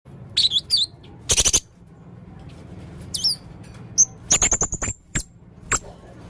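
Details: Male blue-crowned hanging parrot singing actively with many unusual sounds: sharp, very high chirps and thin whistled notes in quick bursts, some in rapid stuttering series, separated by quiet gaps over a low hum.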